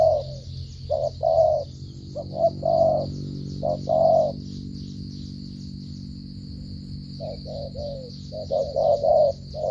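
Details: Spotted dove delivering stuttering coos in groups of short and longer mellow hoots, pausing for a few seconds before resuming, over a constant high-pitched hum.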